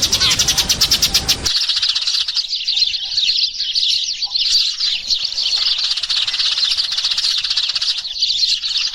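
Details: Sparrows calling the flock, used as a lure sound: after a brief burst of rapid pulsed clicking at the start, a dense, continuous chorus of high, overlapping chirps and twitters runs without pause.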